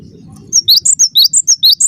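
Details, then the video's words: Cinereous tit singing loudly as a lure for others to answer: a fast, even series of piercing high whistles alternating between two pitches, roughly five notes per second, after a brief quiet start. "semua gelatik bakal NYAUT dengarkan suara ini"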